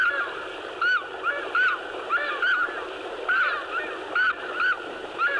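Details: Takahe (Porphyrio hochstetteri), Murchison Mountains, Fiordland, New Zealand: recording of a male's territory call, used to locate and challenge birds; loud, hoarse honking notes repeated about once a second over a steady rushing background.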